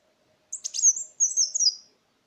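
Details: Sunbird lure song (kolibri wulung): one brief, very high, squeaky twittering phrase with sliding thin notes that trail downward at the end.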